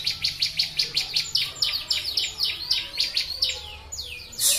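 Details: Bar-winged prinia (ciblek) for bird training: a long, rapid, even run of bright high chirps, some slurring downward, ending in a loud noise burst.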